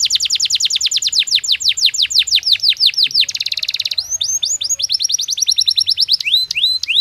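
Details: Canary in its cage during breeding season: long series of quick falling whistled notes, a brief buzzy rattle, then rising upslurs and a final rapid trill.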